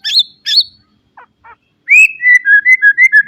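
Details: White-rumped shama song in the full fill style, used as a master recording so untrained birds start singing: two high whistled notes, two soft low chips, then a run of clear whistled notes repeated about three times a second.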